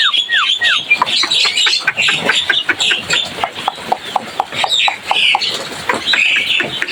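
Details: Javan myna calls: a few falling whistles open, then sharp clicking ticks repeated steadily beneath bursts of harsh squeaky chatter.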